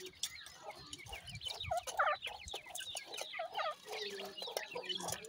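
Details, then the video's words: Young francolin chicks (dakhni teetar) calling while being fed, kept in captivity for breeding: a busy stream of short, high chirps and wavering peeps, overlapping and irregular, with background sound underneath. "dakhni teetar k chotay bachay with feeding,chicks ki boli"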